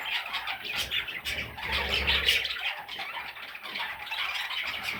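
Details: Young parrot chicks squawk rapidly and harshly, a crowded, uneven run of raspy calls with a low rumbling undertone midway.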